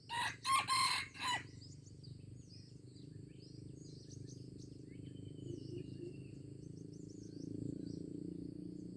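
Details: Aceh junglefowl, recorded 25 April 2020, opens with a brief four-part raspy crow. Scattered high bird chirps and a long thin whistle follow over a continuous low drone of forest noise.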